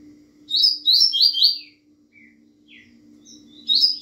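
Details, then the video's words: Double-collared seedeater (coleiro, Bahian type, fast song): quick burst of high, slurred twittering notes, then softer scattered chips, over a steady low electrical hum. "coleiro Bahiano rapido"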